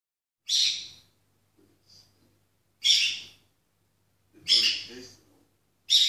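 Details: Female peach-faced lovebird singing to the TV indoors: loud, harsh, high chattering bursts every couple of seconds, with faint softer chirps between them.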